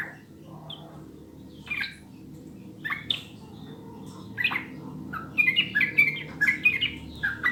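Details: Sooty-headed bulbul song, clear, meant to start other birds singing quickly: sparse single notes spaced a second or more apart, then a fast, busy cluster of warbled phrases in the final two seconds.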